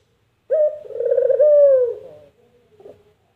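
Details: A single puter dove phrase of the kind imitated as "kuk gerruuuk": a short note, then a long vibrating coo that slowly falls away, followed by a faint soft extra note.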